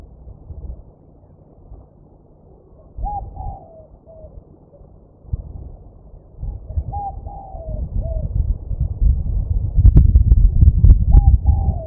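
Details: Spotted dove at Mai Po Nature Reserve, Hong Kong, February 1999 (winter), gives soft, falling coo phrases about every four seconds, over steady low rumbling background noise.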